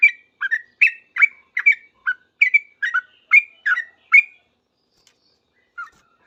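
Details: Singing sooty-headed bulbul responding to other bulbuls: a burst of quick bubbly chirps in paired notes for four seconds, then a pause and a couple of softer isolated notes.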